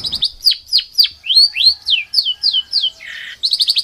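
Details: Songbird masteran for competition birds, rough 'tembakan' style: a series of clear high whistles that swoop downward, one short buzzy note, then a quick burst of sharp chips.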